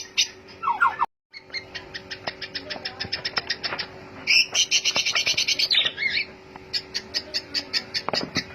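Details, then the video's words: White-rumped shama singing, a recording meant to provoke other birds to sing; quick ticking notes in steady series, a burst of harsh buzzy phrases midway, then more rapid sharp clicks. "Pancingan murai batu 🔥 Naikan emosi burung auto ikut gacor"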